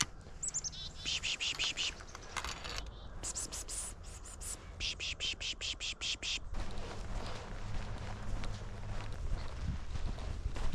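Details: In a county park in central Michigan near a river, a chickadee gives two quick runs of harsh, buzzy dee notes, about six in a row, over a low outdoor rumble and a person's soft pishing.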